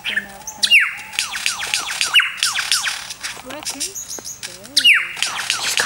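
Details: Male superb lyrebird performing a courtship display in an enclosure at Healesville Sanctuary, Badger Creek, near Melbourne, Australia: loud, sharp whistles sweep steeply downward, mixed with rapid clicking and chattering notes, with a faint human voice in the background.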